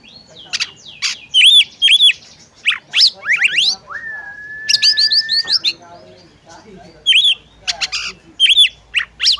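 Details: Oriental magpie-robin, a female calling the male to sing; bright chirps and steep sweeps broken by a long flat whistle lasting over a second, then more rapid notes.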